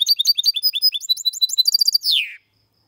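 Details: Clean song of a goldfinch and canary hybrid, 2022 bird, in Malaga copy style, used to prompt males into song and for young birds to memorise. Rapid high twittering gives way to a long slurred downward note, then silence.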